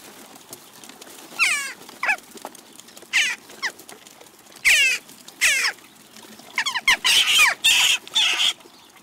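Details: Garden feeder flock of western jackdaws, Recke, Germany, June 29, 2021. Individual sharp descending calls ring out every second or so, then merge into a burst of harsh overlapping notes near the end.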